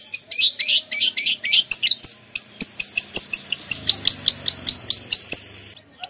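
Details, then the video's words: Canary imitating lovebird song, rare full lovebird material: quick burry chirps followed by a regular series of sharp high piercing notes about four per second, faint low background hum. "kenari isian love bird"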